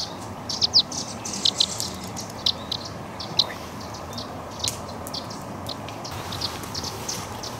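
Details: Young Eurasian crag martins being fed at the Walensee, Switzerland: brief, high, thin chirps and twitters at irregular intervals over a steady rushing hiss.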